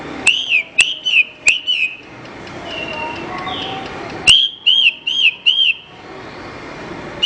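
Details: Horsfield's bush lark song used as a tutor recording for training other songbirds: short bursts of three or four bright, bouncing whistled notes, with sharp clicks between phrases and a faint hum in the background.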